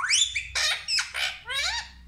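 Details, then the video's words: Pet talking parrot indoors at home, uttering a string of loud harsh squawks and screeches, four or five bursts each about a quarter second long, some with rising and falling tonal bends. "कितना प्यारा बोलता है हमारा तोता ll Parrot Talking"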